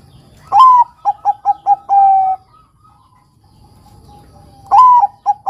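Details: Zebra dove (Perkutut Bangkok) singing to stimulate young males: a loud opening coo sliding slightly down, then four short clipped notes and a long steady coo, the phrase repeated after a pause.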